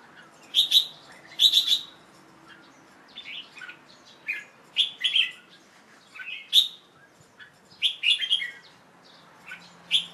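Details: Song of a young male Red-whiskered Bulbul, recorded late afternoon on 1 January 2012 after bathing, before being covered for the night: short bright chirped and warbled phrases repeated about every second, with brief pauses between them and a faint low hum.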